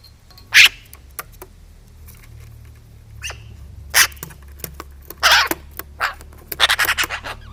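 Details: Eurasian magpie near its food, objecting to a nearby camera with little dog-like barks: isolated harsh rasping notes, then a fast chattering run of dry grating calls at the end, over a faint low hum.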